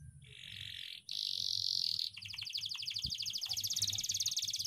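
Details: Long rolling ngeroll song of a canary, meant for training young birds: two held buzzy tones in steps, then an extended rapid high trill over a faint low hum.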